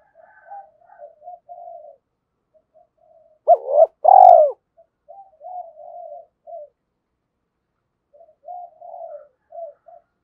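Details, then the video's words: Lure recording of a spotted dove meant to set a decoy cooing: quiet, muffled murmuring notes on either side of one loud, deep double coo in the middle. "Tiếng chim cu gáy kích bổi hiệu quả mỗi ngày mở là gáy"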